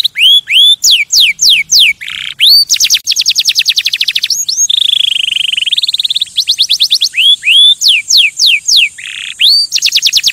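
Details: Canary song meant to stimulate other birds, a varied run of rising whistled slurs, fast falling trills, a low rolling buzzy tour and a long steady warbled note, all high and loud.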